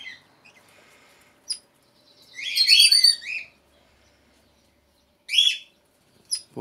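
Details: Red-rumped parrots in an aviary, where the first clutch has just fledged and a baby is out of the nest, give bright, warbled chirps in a rich burst, then a shorter phrase and a few sharp high chips.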